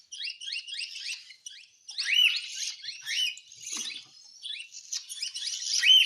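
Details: Hand-fed cockatiel begging, a loud continuous run of scratchy, arched high chirps repeated several times per second, swelling in strength, with a brief low rustle midway.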